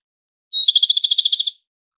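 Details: Japanese robin singing a single strophe: a sharp high introductory note running straight into a rapid pulsed trill of about a dozen beats, lasting roughly one second in otherwise quiet surroundings.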